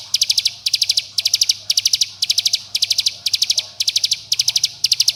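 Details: Bar-winged prinia in tight 'bren' style, a lure to get young birds singing: crisp high bursts of four to five quick ticking notes, evenly repeated roughly twice a second.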